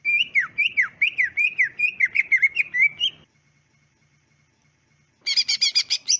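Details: Greater green leafbird singing, used as a master recording to prompt other leafbirds to answer and trill: rapid downslurred whistled notes about twice a second for three seconds, a pause, then a dense burst of high buzzy chattering notes.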